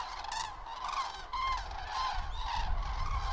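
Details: Migrating flock of common cranes passing over Mittelhessen, Germany, on 31 October 2022 in poor weather; loud, harmonic trumpeting calls follow each other about twice a second over a steady low rumble.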